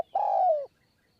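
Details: A single sustained coo from a spotted dove on its perch, recorded while decoy trapping in Kanchanaburi's hill forest, Thailand. It is a low, smooth, slightly falling tone just over half a second long, in quiet surroundings.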